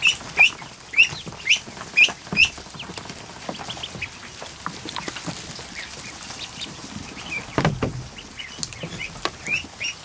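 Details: Over 100 freshly hatched ducklings gathered in a barn kiddie pool on an afternoon. Loud, sharp, upward-sweeping peeps repeat about every half second at the start, then thin out among fainter peeps, splashes and a brief low bump.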